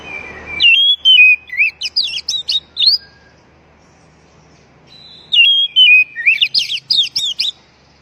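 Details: Oriental magpie-robin calling to provoke stressed birds back into song: two similar phrases about four seconds apart, each made of sliding whistles followed by rapid, buzzy rising notes, with a brief low rumble at the start.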